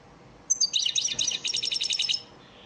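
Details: Caged-bird training song of the goldfinch in elmacık style, a single brisk phrase of high, glittering twitters repeated quickly for about one and a half seconds.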